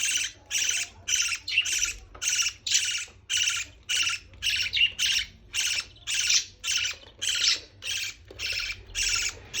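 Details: Parrot baby during feeding, a steady string of rasping, hissy squawks, about fifteen bursts in under ten seconds, each short and evenly spaced.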